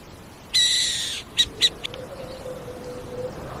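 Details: A single rasping, breathy owl screech lasting under a second, followed by two or three short sharp high notes that fade out. A soft low droning tone runs in the background.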